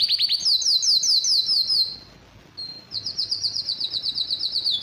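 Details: Aroused canary delivers a loud high rattling trill of swept notes. It pauses briefly, then resumes a rapid, even, high-pitched roll.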